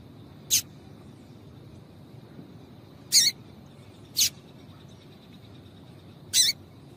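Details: A female double-collared seedeater gives four short, high, sharp chips at uneven gaps of one to three seconds over a low steady background hum; the recording is meant to excite males into singing.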